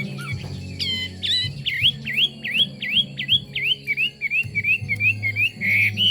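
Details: Chinese hwamei song opening with a few sharp notes, then a long series of clear slurred V-shaped whistles repeated about three per second, softening and quickening toward the end, with a low steady hum beneath.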